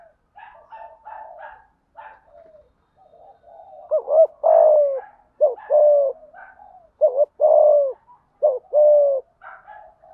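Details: Spotted dove, deep-voiced 'thúc gù' coo: loud low phrases of short hoots and longer coos, repeated steadily, over fainter higher chirping from other birds.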